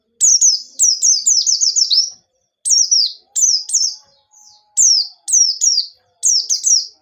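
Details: White-eye lure song in a lively wild style with sharp notes: a rapid opening run of high descending chirps, then spaced pairs of thin falling notes, with a faint steady low hum behind.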